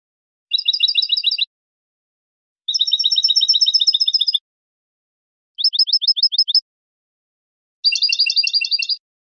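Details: European goldfinch basic song in the simple 'bibleo' style: four bursts of rapid, high, evenly repeated chirping notes, each lasting about one to two seconds, separated by short silences, against a clean, quiet background.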